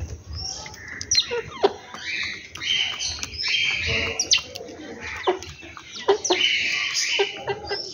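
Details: Morning bird chorus at a home, with dense high chirping and twittering, brief clicks and short whistled notes overlapping throughout without pause.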